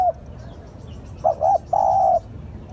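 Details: Spotted dove cooing as a lure call: the tail of one coo, then two quick short notes and a long even coo, mellow and low, over soft background hum.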